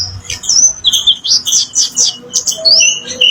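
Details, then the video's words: Bright, hurried whistling from an orange-headed thrush, played to coax other birds into replying: high slurred notes alternating with lower clear tones, several rising sweeps and quick chips packed into a few seconds. "Suara burung kemade sekali denger burung macet pun akan nyaut"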